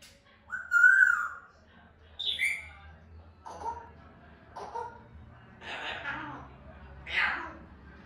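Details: African grey parrot making natural sounds: a loud, slightly wavering mid-pitched whistle, then a short, higher squawky note, several soft low clucks, and two harsh, broad, rasping calls near the end. A faint low hum runs underneath.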